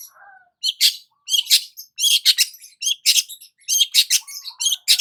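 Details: Long-tailed shrike singing while sunbathing in the morning: a busy, rapid stream of high chirps and twittering phrases, closely packed with only brief pauses, after a soft quiet opening.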